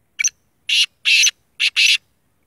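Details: Kala tetar, a full-black sheedi black francolin, giving its harsh rasping call. A brief double-clipped note opens, two drawn-out grating bursts follow, then a short note runs into a long buzzy one. The background is quiet.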